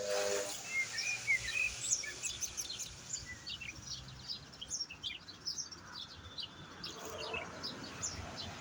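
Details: High, fast twittering song of a European goldfinch, a few liquid whistled notes early on, then scattered chirps about three per second over soft rumble.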